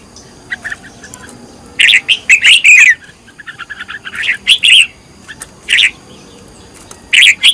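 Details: Red-whiskered bulbul being trained as a decoy bird, singing loud rapid clusters of sweet slurred notes in several bursts, each phrase a quick tumble of whistles separated by short pauses.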